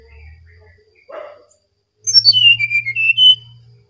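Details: Brown-chested jungle flycatcher from Bali delivering a loud song phrase of descending then wavering clear whistles, with a low continuous hum beneath and a brief soft noise before it.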